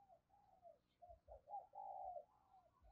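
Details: Decoy spotted dove calling in an urging, crooning style: a run of soft hollow coos, the longest note slightly drawn out. Low thumping knocks and steady background hiss.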